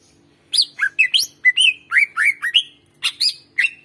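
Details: Greater green leafbird song used as a lure for birds that seldom sing: a clear sequence of about a dozen varied whistled slurs and chirps, each distinct, some rising and some falling.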